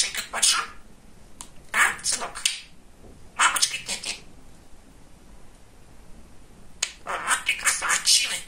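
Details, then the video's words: Pet male budgerigar, described as very chatty, talking indoors: four separate bursts of raspy, speech-like chatter with gaps of quiet between them. "Говорящий Волнистый Попугайчик"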